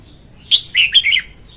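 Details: One loud, clean song phrase from a female red-whiskered bulbul, kept for luring birds into traps: four quick fluty notes, the first high, the rest lower and slurred downward.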